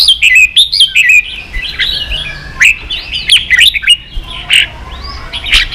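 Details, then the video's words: Competitive song of a caged red-whiskered bulbul, a rush of quick whistled notes at the start, then scattered loud chirpy phrases and softer warbles. "Chào mào kích đấu căng lửa chơi cực hay"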